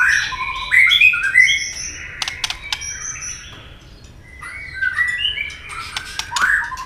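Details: White-rumped shama in fighting song: jumbled warbling phrases and scattered sharp clicks, a quieter middle, then more overlapping whistles and clicks.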